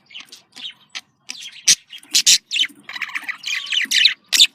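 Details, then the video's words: Pet budgerigar breeding-stimulation sound: soft chirps building into louder scratchy warbles and sharp, squeaky calls in irregular bursts. "dişi muhabbet kuşu kızıştırma sesi erkek muhabbet kuşu kızıştırma sesi budgie sounds"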